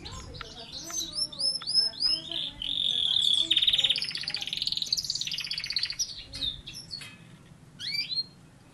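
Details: Canary singing a long varied phrase: repeated upslurred whistles, a loud sustained buzzy trill, then scattered sharp chirps and sweeps.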